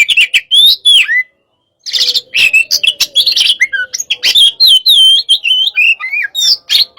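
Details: Caged oriental magpie-robin of the hot type, used as a training song to stimulate other birds, pouring out loud varied song: sweet whistles, sliding notes and scratchy chatter, with one brief pause early on.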